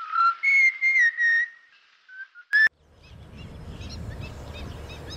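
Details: Distant nesting pair of black-winged stilts at Hoskote lake: four loud, nasal, whistled notes in quick succession, then softer short notes, and one sharp final note. Low rumbling background noise follows.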